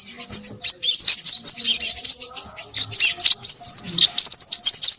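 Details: Crimson sunbird (sepah raja) twittering busily: a short high phrase, a brief gap, then a long, dense run of shrill, quick chirps and buzzy flourishes.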